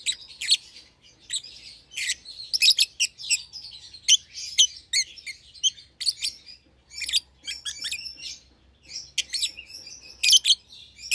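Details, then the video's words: A young pair of lovebirds, one albino with red eyes and one euwing green opaline, share a cage and chatter continuously with rapid high-pitched chirps and buzzy twitters, bursts clustering every second or so. "Lovebird Chirping Sounds"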